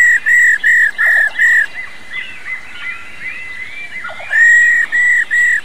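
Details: Old wild female White-browed laughingthrush calling rò rò to stir male birds: a burst of four or five ringing, flat whistles, then quieter chattering, then another run of four identical whistled notes.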